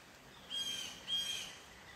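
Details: Crow heard outdoors in an unedited recording, two short rasping caws in quick succession against faint background hiss.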